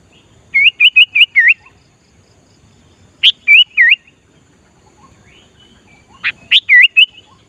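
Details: Sooty-headed bulbul in active song, used to lure wild bulbuls: three loud bursts of short whistled, bubbling notes, the first with five quick notes, the others with three, spaced about three seconds apart.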